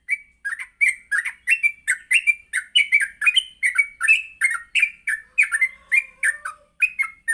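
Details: Yellow-vented bulbul (trucuk) morning song used to train other birds to sing; fast continuous chatter of bubbly, slightly buzzy notes, about three per second without pause, with a faint lower whistle partway through.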